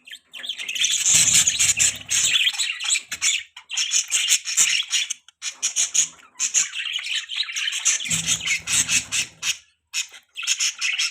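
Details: Several budgies chirping: dense, scratchy, high chattering warbles in near-continuous bursts, broken by short pauses around four, six and ten seconds, with low thumping noises near one and eight seconds.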